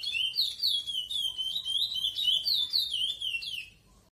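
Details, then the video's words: Captive-bred chestnut-bellied seed finch (curió), the offspring of a bird known as X9, singing in the Praia Clássico song style: a fast, continuous run of high, sweet, warbled whistles that rise and fall for about four seconds before stopping. "Curió Praia Clássico"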